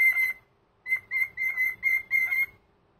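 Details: An elderly cockatiel kept as a pet gives a Sunday morning greeting song indoors, one clear whistle, a short gap, then five quick, level, ringing whistled notes in a row.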